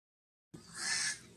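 A crow gives a single harsh, hoarse caw lasting under half a second after a moment of silence. No other sounds are heard.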